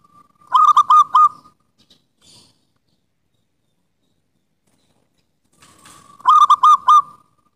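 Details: Local wild zebra dove song, used as a lure to get doves that have stopped singing to sing again: two phrases of four to five rapid, bubbly cooing notes each, separated by a long quiet gap.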